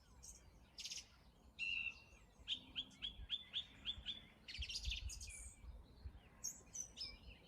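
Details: A male song thrush, singing since January and very loud by February, gives bright, varied phrases at dawn, repeating one run of about seven sharp notes quickly, with a faint low hum beneath.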